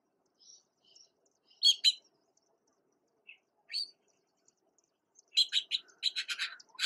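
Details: Juvenile Red-billed blue magpies, recently fledged, in Uttarakhand, India, with a parent coming to feed them: short harsh buzzy chattering bursts, spaced at first, then a rapid run of repeated rasping notes near the end.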